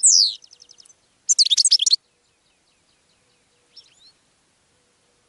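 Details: Goldfinch song meant to attract other birds: a falling slurred note and short fading trill, then a dense burst of tinkling twitters, followed by a few faint scattered notes in near silence.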